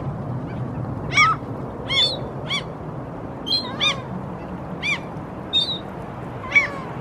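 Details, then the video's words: Two Canada geese walking on temporarily exposed seabed in Helsinki, Finland, April 2023, give short nasal harmonic honks, about eight in seven seconds at an uneven pace, over a steady low rumble. "Canada Geese walking, vocalizing"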